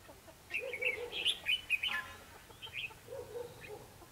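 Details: A red-whiskered bulbul sings during a trap fight against a lure bird, dated 21 December 2015: a quick, loud run of chirpy whistled notes, then a softer answering phrase alongside low warbled sounds.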